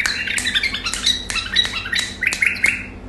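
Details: White-eared bulbul, known locally as Iraqi bulbul, singing a hurried run of clear whistled notes and short chirps, ending in a few rising fluting phrases, with a soft steady hum beneath.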